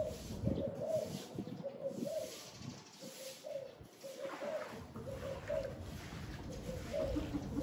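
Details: Spotted dove calling on a very windy day: low, soft cooing phrases repeated several times, each a short run of hollow notes, under a steady roar of wind gusting and fading throughout.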